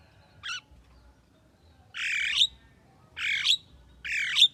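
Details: Javan myna, a bird said to talk, with one short high squeak followed by three loud harsh rasping squawks, each ending in a brief whistled flick, spaced roughly a second apart.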